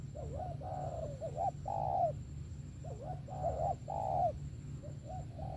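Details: Spotted dove song, wavering coos and short looping double notes delivered in two close phrases, the longer coos loud and swelling, over a low steady hum.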